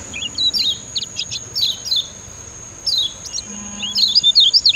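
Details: Lemon-bellied white-eye (kecial kuning), master song for training other birds: bursts of quick, high twittering chirps, pausing briefly, then a rapid run of sharp notes at the end, over a constant thin high-pitched whine.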